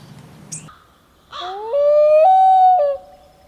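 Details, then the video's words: A loon gives a long, mournful tonal call that slides upward, steps higher and holds steady for about a second before dropping away. "Loon Calls"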